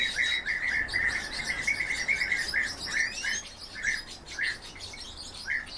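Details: Goldfinch × canary hybrid singing a fast, continuous twittering song of bright chirps and short trills, with brief rising whistles mixed in, fairly close and clear over low background noise.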